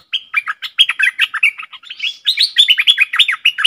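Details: Stripe-throated bulbul kept in a cage, 7 June 2021, singing a continuous run of bright, bubbly chirped notes, fast and jumpy in pitch, with a brief slurred rising note midway before the chattering phrases resume.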